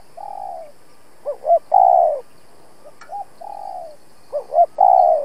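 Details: Spotted dove decoy cooing to challenge rivals for trapping; long purring coos alternate with paired short rising notes, forming two full phrases with a faint tap between.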